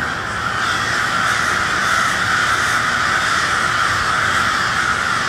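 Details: Cold twilight in Westport, Kansas City, with noisy crows: a loud, dense din of overlapping hoarse caws, fast and irregular, swelling after the first half second and holding steady throughout.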